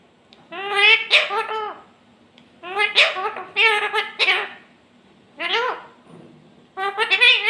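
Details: Parrot talking clearly, repeated bursts of chattering speech-like syllables with short pauses between phrases, quiet indoor setting.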